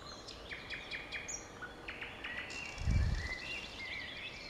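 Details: Thrush nightingale singing at Kiilis on 15 May 2017 at 19:59: a quick run of repeated downslurred notes, then varied whistles and chirps, over steady background hiss with a brief low rumble.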